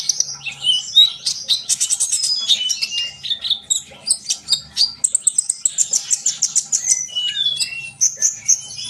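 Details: Rapid, high twittering from a sunbird, with whistled notes early on and then a run of quick evenly spaced chips near the end. The song is used to get young birds singing.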